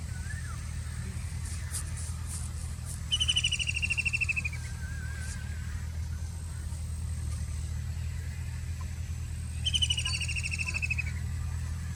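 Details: Two bursts of a rapid, descending chattering trill from a White-throated kingfisher, about six seconds apart. Faint clicks and a soft wavering whistle sound in between, over a steady low drone.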